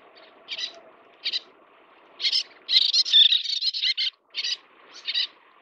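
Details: Little tern at the nest while feeding chicks: short harsh high-pitched calls in separate bursts, then a rapid chattering run near the middle, with a low background hum.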